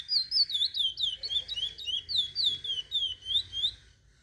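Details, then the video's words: Chestnut-bellied seed finch song for teaching young birds, a string of sweet whistled slurs at about four per second that stops before the end, leaving quiet. "Curió para ensinar filhotes."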